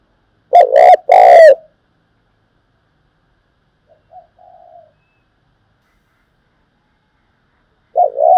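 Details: Decoy spotted dove calling to draw in wild doves for trapping: a loud double coo, a long pause with a faint, distant soft coo, then another loud coo beginning near the end.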